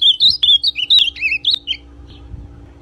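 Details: Ultramarine grosbeak in brown plumage delivering a warm-up song for another male: bright, looping whistles that slide between high and slightly lower pitches, ending after about 1.8 seconds into quiet hum.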